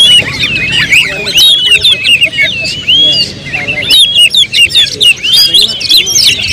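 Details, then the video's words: Oriental magpie-robin (kacer) song used as a lure to make other birds sing their full repertoire: dense, fast, high whistled phrases with sharp rising and falling slurs and chirps, overlapping continuously without pause. "pancingan KACER paling ampuh bongkar materi"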